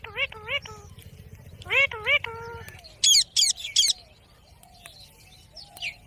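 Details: Parrot of the ringneck type giving quick paired nasal calls, then three loud, high, shrill screeches about a third of a second apart, fading to soft quiet chatter; low rumble beneath the first half.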